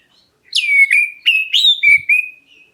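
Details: Black-breasted oriental magpie-robin calling to provoke other birds to answer: a string of five bright, loud whistled notes, the first sweeping down, the rest rising and falling briefly before steady held tones, with a soft thump.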